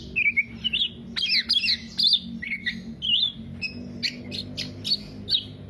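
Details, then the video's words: Black-naped oriole (kepodang) in 'teler' singing intended as a lure or master recording; warbled, rolling whistles and squeaky chips mixed with harsher notes, varied and uneven in rhythm. "Kepodang Podang kicau sampe telerrr"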